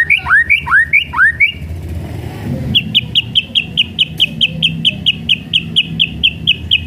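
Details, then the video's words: White-rumped shama delivering kretekan to provoke other shamas: five loud swooping upslurred whistles, a brief pause, then a long rapid train of short clipped high notes repeated about three per second over low hum. "KRETEKAN MURAI BATU MEMANCING EMOSI PALING TOP"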